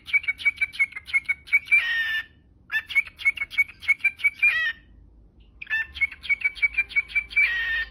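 A cockatiel gives quick runs of bright, chirpy notes, each run ending in a harsh buzzy burst.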